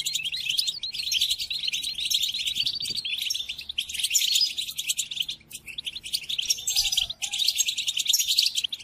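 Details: European goldfinch song for training captive goldfinches: sustained, intense high twitter interrupted by brief silences, with a few clear whistled notes among the chatter.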